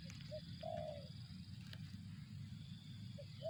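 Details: Spotted dove (tekukur), 'target zong' style: a short low coo note, then a longer mellow purring coo that falls slightly at its end, with a few soft notes later, over steady low rumbling background noise.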